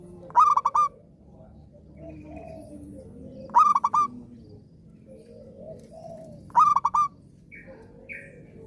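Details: Zebra dove in active song, meant as therapy for other doves that have stopped singing; three phrases of quick staccato coos, about every three seconds, with faint softer calls between.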